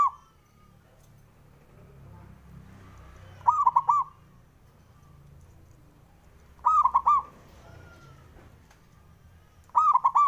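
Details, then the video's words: Male zebra dove song meant to provoke competitors into responding: three full stuttered coo phrases spaced about three seconds apart, plus the tail of one at the start, over faint low background hum. "SUARANYA🔊 LAGI BANYAK DI CARI UNTUK PENDOBRAK LAWAN JADI EMOSI! BIKIN NYAUT"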